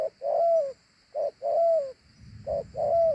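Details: A big dove coos in two notes: a short opening note, then a long, smooth, falling note. Three phrases follow closely, with faint low background rumble near the end.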